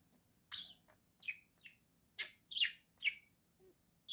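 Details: A budgerigar kept as a pet calls in short bright chirps, roughly two each second, some buzzy and some clearer tweets, over a faint low room hum.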